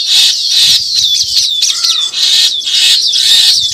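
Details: Baya weavers at their new hanging nest, high, dense chattering and wheezy buzzing in overlapping bursts, with thin sliding whistles, from several birds calling together.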